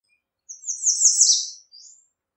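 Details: Song variation of the American redstart: a high, accelerating series of thin notes swelling to a loud peak, followed by a brief separate trailing flourish.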